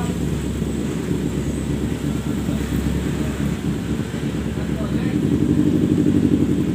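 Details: Loud talking over a droning engine or aircraft hum; no birdsong.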